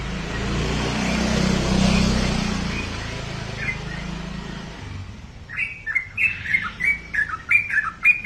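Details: Sooty-headed bulbul kept as a pet; several seconds of loud rushing noise give way to a burst of quick, bright chirped notes in rapid succession.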